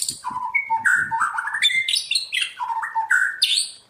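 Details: White-rumped shama kept and trained for wild-style singing, pouring out a fast varied medley of whistled notes jumping between low and high pitches, with faint low knocking sounds beneath.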